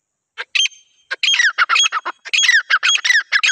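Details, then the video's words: Female grey francolin calling in the jungle, used as a hunting lure: harsh, squawky notes in a rapid, uneven series that start sparse and become nearly continuous, each note sliding downward, with no other sounds. "female titar ki shekar ki awaz"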